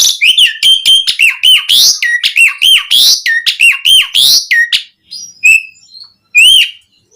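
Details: Asian pied starling song meant to make caged birds sing: a fast jumble of whistled notes with upward hooks and buzzy bursts for about five seconds, then two separate clear whistles.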